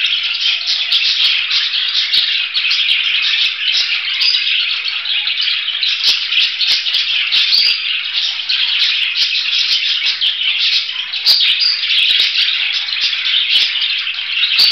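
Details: Extended budgerigar chatter, a dense rattling warble of quick squeaks and chirps that hardly pauses, with many light clicks in the background.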